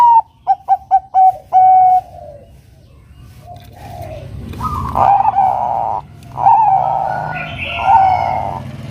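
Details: Zebra dove, Bangkok variety, singing to draw a rival into song: a rapid string of short soft coos closing on a drawn-out note, followed by louder broad noisy sounds and murky background calls.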